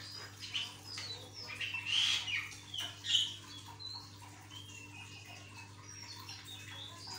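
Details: Javan myna in full 'gacor' song to prompt other mynas to join: dense grating squawks and chatter peaking with piercing whistles, then quieter thin whistled notes trailing off, with a low constant hum.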